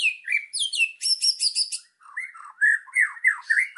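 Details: White-rumped shama singing full of fill-in phrases for training birds: high scratchy chattering notes give way after a short gap to lower, mellow slurred whistles that rise and fall.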